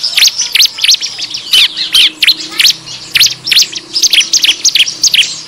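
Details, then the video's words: Bar-winged prinia lure call (ciblek ribut, meant to draw in wild birds): a fast, noisy stream of sharp, high chirps and squeaky notes overlapping and tumbling without pause. "suara pikat ciblek ribut"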